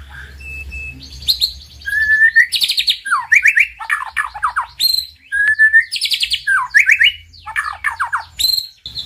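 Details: Master recording of White-rumped shama song for getting a silent bird to sing: varied phrases of long slurred whistles, harsh buzzy bursts and quick descending notes, over a faint low hum.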